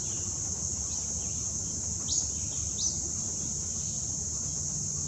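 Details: A juvenile Acadian flycatcher on the Wetmore Valley trail, Cuyahoga Valley National Park, Summit County, Ohio, on 26 August 2017, gives a few sharp, upslurred peet notes about a second apart over a steady high insect drone.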